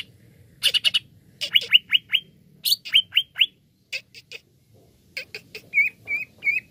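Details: Greater green leafbird giving lure song to encourage other birds to sing: bursts of harsh notes followed by series of four descending whistles, scattered chips, then three wavering whistled notes at the end, low hum behind.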